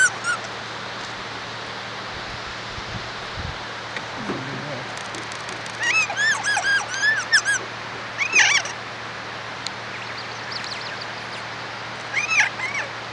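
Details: Kea, an alpine mountain parrot: after several quiet seconds, a burst of harsh, harmonic-rich screeching calls with arching pitch comes around the middle, then a shorter outburst and a final cry, over steady background hiss.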